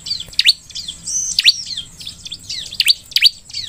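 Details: Bar-winged prinia (ciblek) song used as a lure to make other ciblek sing: sharp high chirps with steep downward sweeps, repeated at uneven intervals, plus fainter high twittering notes between them.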